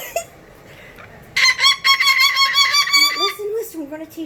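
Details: A pet cockatoo whistles a trick its owner taught it, a loud, harsh, nasal call held about two seconds like a rooster's crow, then quieter lower notes; the owner speaks softly, urging it to whistle quietly.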